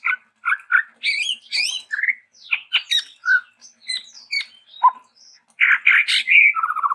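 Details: Varied, lively song of a Chestnut-rumped babbler, endemic to Sumatra: a jumble of squeaky rising and falling notes and chatters, with a dense harsh burst followed by a low whistle near the end.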